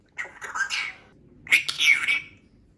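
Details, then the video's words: Male brown-necked Cape parrot kept as a pet, speaking words and imitating household noises. Two quick, hoarse, speech-like phrases, each under a second, with a short pause between them. "Brown-necked Cape Parrot Truman Talking"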